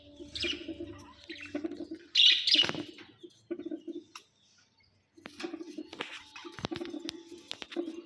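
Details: Pet budgerigars in the evening chattering with rapid, scratchy warbles and sharp chirps, broken by a brief pause.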